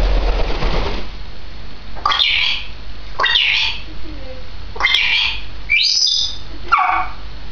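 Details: A two-year-old female grey parrot recorded on 16 May 2010 gives a series of harsh, buzzy squawks, five bursts spaced about a second apart, with some softer lower tones between them.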